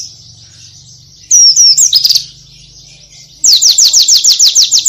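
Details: Oriental white-eye gives a brief high twittering phrase, falls quiet, then launches into a fast series of about ten sharp, high downslurred notes in even succession. A soft low hum continues throughout.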